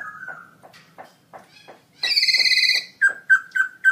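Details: ['Caged black-throated laughingthrush singing very loud in a gold award-winning birdsong contest, October 2016: soft clicking notes, then a bright buzzy harmonic burst, followed by clear whistled notes around mid pitch repeated about every third of a second.']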